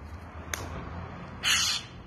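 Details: A crow in a tree by a nest in Mentese, Mugla province, Turkey, on 4 June, mimicking a cat to drive a cat away from its young: one harsh, scratchy, cat-like meow of about a third of a second after a faint click. A thin steady whine runs behind.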